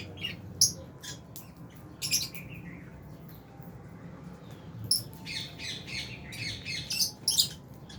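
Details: Albino and Fisher's lovebirds in an aviary give clusters of piercing, squeaky chirps separated by short quieter gaps, several birds calling over a low steady hum.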